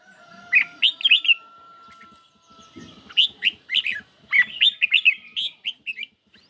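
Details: Caged red-whiskered bulbul on a lightly sunny day, singing in a duel against song played from a phone: bursts of short, bright, warbled whistled phrases, several notes in quick succession, separated by brief pauses, with a faint steady tone beneath.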